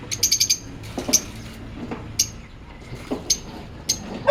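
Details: Lovebirds kept as pets in an aviary: sharp, high, clipped chirps, a quick burst of four or five at the start, then single chirps every half second to second, with some softer lower notes underneath.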